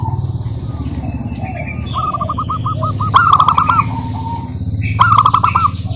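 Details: Zebra dove song used to coax other local doves into singing: a run of evenly spaced coos builds into a loud trilled burst, answered by a second burst near the end, over steady low background hum and faint higher chirps.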